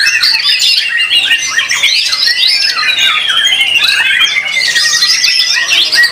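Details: White-rumped shama performing in a singing competition, pouring out rich whistles, slurred glides and rattling notes in an unbroken flow, with further birds singing behind.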